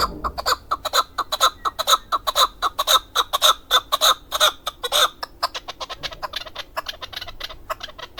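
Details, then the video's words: A male hunting chukar from Darvoz, Tajikistan, sings in 2020: loud, rhythmic chucking notes repeated about twice a second, then speeding into a rapid run of shorter notes. "Садои Нар Кабки Шикории н. Дарвоз 2020. Голос птиц как поёт горная Куропатка (Кеклик)"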